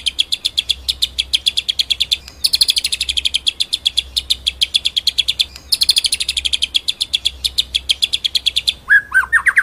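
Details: White-rumped shama, masteran tutor song in full 'ngerol nembak' style: long continuous high rattling trills of rapid repeated notes, broken by short pauses, ending in a few sharp sliding whistles.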